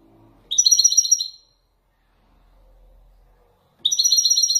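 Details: A caged male European goldfinch of the Widani type sings authentic Marrakech descents: two short, fast, ringing trills separated by a quiet pause, with a faint low hum in the background.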